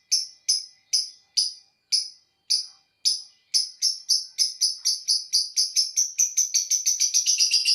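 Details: A lovebird's 'ngekek' song: piercing, high chirps start spaced about half a second apart, then speed up steadily into a fast, continuous rattling chatter by the end.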